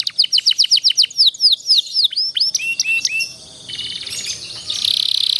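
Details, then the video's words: Master song of a canary for teaching young canaries: a quick series of clear descending whistles, then quieter curving notes, ending in a buzzy rolling trill. "kenari paud belajar bunyi jadi cepet gacor ngerol panjang durasi panjang dengan masteran ini"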